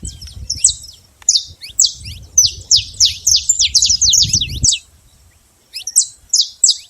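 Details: Wild saffron finch singing free in nature: a rapid string of high, sharp chirped notes with steep downward sweeps, running for about four seconds, a short pause, then a few more spaced chirps; faint low rumble underneath.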